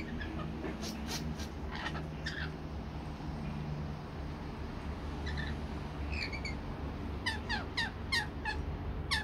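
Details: Rainbow lorikeets feeding on sweet nectar mix give harsh, rasping screeches in short bursts, bunching into a rapid chatter toward the end, over a steady low rumble.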